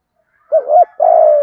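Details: Spotted dove coo used to lure wild birds: two quick rounded notes followed by a long drawn, slightly wavering coo, loud and close.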